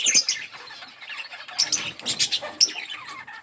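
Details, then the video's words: Budgerigar colony chirping: quick high squeaky notes and chattering bursts from several birds, loudest near the start and again toward the end. "Budgies parrot chirping sounds in budgies colony"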